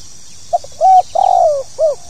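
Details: Tekukur or spotted dove calling in the 'pokal tanggung' manner: a short note, a level coo, a long trembling coo dropping in pitch, then a brief arched final note, all over steady background hiss.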